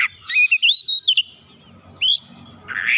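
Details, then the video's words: Insistent oriental magpie-robin answering immediately and unloading its isian, or fill repertoire: loud rising whistles and bright chirps in quick succession, a high sharp note after a pause, then a rasping burst. "Kacer langsung nyaut ngotot bongkar isian"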